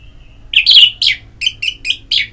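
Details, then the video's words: Orange-headed thrush, a bird's song played as a singing stimulus: a faint whistled lead-in followed by a harsh, rich phrase and several short, clipped whistles repeated in quick succession. "Pagi Siang Sore Terapi Ngeplong Untuk ANIS MERAH Malam ya Tidur Merangsang untuk Bunyi"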